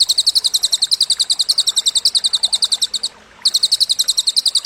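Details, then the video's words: Cililin song used as masteran, a training recording for Indonesian contest songbirds: rapid high twin-toned chirps, about three and a half per second, in a steady run broken by one short pause. "Masteran Burung Lomba Isian Cililin"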